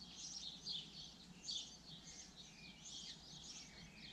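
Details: Rapid high twittering and chirping from a common linnet, uneven bursts of short sharp notes over a steady background hiss.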